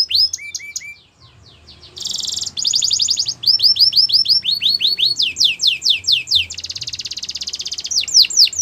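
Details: Belgian canary singing: a few lower descending notes, a short pause, then a loud buzzy trill followed by fast series of high downward-swept whistles and rapid rattling rolls.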